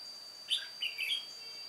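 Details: Single brief warbled phrase from an old decoy red-whiskered bulbul singing solo during trapping on 1 July 2018: a sharp whistled note followed by a rippling double note, against a steady high whine.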